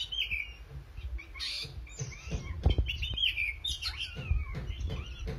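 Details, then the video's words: Oriental magpie-robin in lively song: fluting whistles, upward and downward slurs and quick chattering notes packed closely together, over a low rumbling background. "kacer gacor manteb banget"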